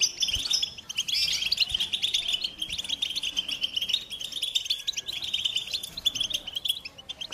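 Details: American goldfinch song: a dense, continuous twittering of rapid high chirps and trills that holds a steady high pitch and runs without a break through the whole stretch.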